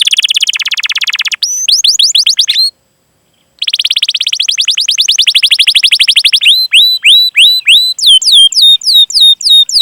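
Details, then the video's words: Canary song used as a training recording to prompt young, untrained or silent canaries to sing: long rolling trills of rapid chirps, a brief silent gap, then buzzy rolls and a series of sharp rising whistled notes. "Masteran Suara Burung Kenari Gacor Panjang cuit cuit Ngerol untuk Pancingan Kenari!"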